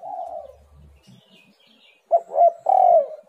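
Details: Spotted dove calling, used as a lure to get lazy doves to call. A low cooing phrase fades out, then after a pause come three louder, throaty coos with a hooked, wavering note at the end.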